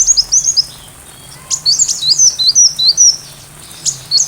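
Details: Sunbird song meant for tutoring a white-rumped shama: a quick burst of tiny high chirps, a pause, then a run of thin downslurred whistles and sharp ticks.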